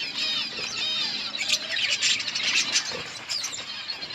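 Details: Budgerigars in a colony eating green leaves, producing a continuous dense chorus of warbling, whistled chatter with overlapping calls and some clicks.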